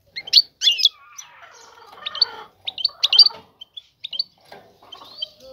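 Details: Female European goldfinch calling for a male to pair and build a nest; lively high twittering opens the clip, followed by quieter trills, short chirps and a few buzzy notes.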